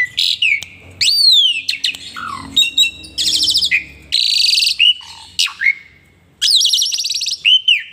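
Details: Asian pied starling singing hard and pumping its body in a dance-like bobbing display; varied phrases mix sweeping whistled slurs, squeaky chatter and long rasping buzzes, separated by short pauses.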